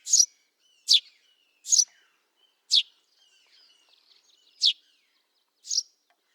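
Eurasian tree sparrow giving six short, high chirps at irregular intervals about a second apart, with faint twittering in the background.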